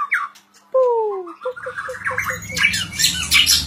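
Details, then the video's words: White-rumped shama gives falling whistled slurs and a row of short clipped notes before loud rumbling noise and clatter swamp the end. "murai batu gacor owor owor"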